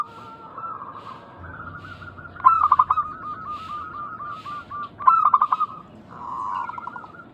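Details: Lure recording of local zebra doves calling eagerly to draw replies from other doves; two strong bursts of fast stuttering coos stand out over a continuous bed of softer rolling coos from more distant birds.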